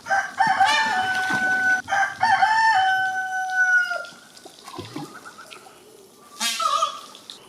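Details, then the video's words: Indian peafowl (peacock) gives two loud, drawn-out, nasal wailing calls, each over a second long, then a quieter stretch and a short harsh cry near the end. "Peacock funny sounds"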